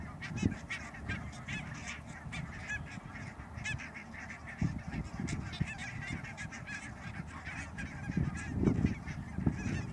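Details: Barnacle goose flock at Schouwen-Duiveland and Goeree-Overflakkee, Netherlands, 16 March 2009, producing a constant clamour of short, nasal barking calls, densely overlapping, with low wind noise underneath.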